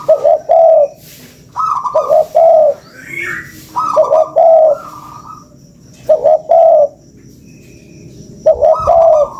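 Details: Spotted dove cooing, recorded as a lure. A higher lead-in note precedes paired mellow low coos. The phrase is repeated about five times over nine seconds, with a brief chirp near the middle.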